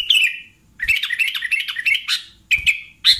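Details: Lure call of a sooty-headed bulbul for catching bulbuls: a bright warbled note, a short pause, then a busy run of rapid chattering chirps and a few clear, ringing notes to finish.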